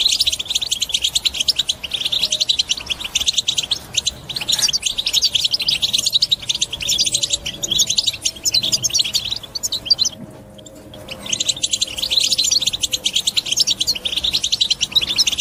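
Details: Powerful chattering European goldfinch song meant to stimulate other birds into singing: long runs of fast, high, tinkling twitters and buzzy trills, broken by a short silent gap near the middle before the lively chatter resumes.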